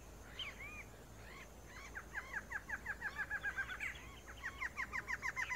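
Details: Wild male Barred Antshrike from Brazil: a few separate hoarse notes, then two rapid accelerating runs of clipped, nasal notes, roughly a dozen each, the second louder and ending abruptly. A faint constant high hiss sits in the background.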